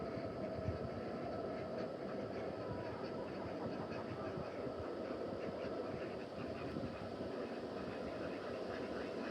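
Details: Steady broadband rumble with faint rhythmic clatter, like a passing train or engine, and no clear animal voice.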